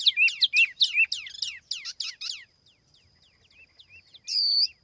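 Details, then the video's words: Laughingthrush lure song without background noise: a fast run of loud looping whistled notes, a quieter pause with faint chips, then one strong sustained whistle at the end. "TIẾNG CHIM TIỂU MI MỒI"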